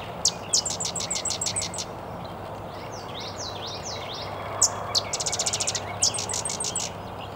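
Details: A Sedge Wren (Cistothorus stellaris) sings at Chikaming Township Park, Berrien County, SW Michigan: dry, rapid chattering trills of high, sharp notes with a few thin buzzy slurs, over a steady low hum.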